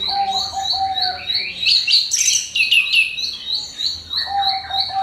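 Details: Orange-headed thrush lure song to get other birds singing: a high note repeated steadily, low flat whistles at the start and end, and a loud jumble of varied bright notes in the middle.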